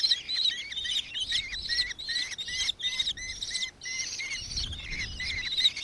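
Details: Nankeen kestrel recorded in Victoria, Australia, on 4 December 2024: a fast run of shrill, harmonic-rich chittering notes, roughly three per second, some with a downward bend, continuing steadily with faint low background rumble.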